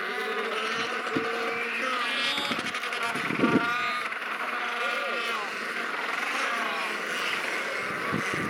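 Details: Royal penguins on sub-Antarctic Macquarie Island bray and trumpet together, harsh nasal calls overlapping without pause, over a steady rushing background like wind or surf.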